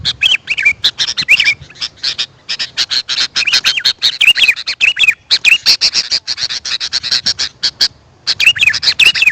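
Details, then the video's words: Sooty-headed bulbul calls for luring wild birds: bursts of quick ticking chatter with bright, bouncing whistled notes, separated by two short pauses. "Suara Burung kutilang untuk pemanggil Burung liar."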